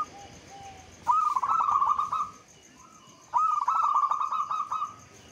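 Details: Local zebra dove song used as a lure to stimulate other doves to sing, in the Mataram rhythm style: a soft short note, then two long cooing phrases made of a rapid stuttering trill that settles into a steady, even purr.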